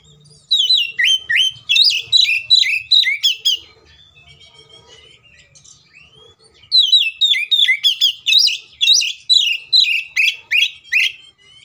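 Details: Kacer fighting song to stir other Oriental magpie-robins into singing: two long bursts of rapid, loud whistled and chattering notes separated by a few quiet seconds of faint twittering.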